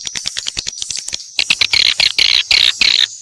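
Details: Mixed swiftlet sounds: a rapid series of short clicking chirps, then several harsh buzzy bursts, each about a quarter second long, repeated in quick succession.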